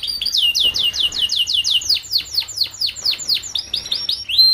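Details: Young canary song recorded to tutor young canaries kept in groups so they sing sooner. A rapid, even run of looping whistled notes, several per second, slows into broader swoops and ends on a rising whistle.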